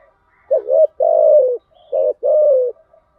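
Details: Spotted dove used as a lure bird: two coo phrases, each a short wavering double note followed by a longer falling coo around the middle range, with faint soft coos between; otherwise quiet.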